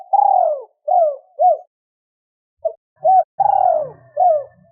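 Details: Two-tail-note cooing of a spotted dove, meant to stir wild doves. Soft hooted notes fall away in pitch, a silent gap follows, and the phrase starts again. A faint low rumble sits beneath the last second.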